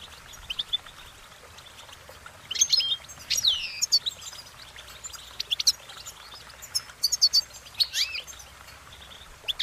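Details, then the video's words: Goldfinch singing: scattered high chirps building to clustered twittering notes with a bright downward-sweeping slur, then more quick tinkling notes over faint hiss. "Goldfinch Singing their Song"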